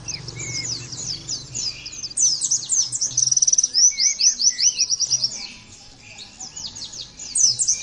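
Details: Oriental white-eye giving 'nembak' song for other birds to copy. Scattered chips build into a loud run of rapid, evenly repeated high notes, with a few curling lower whistles. The song quiets near six seconds, then returns briefly.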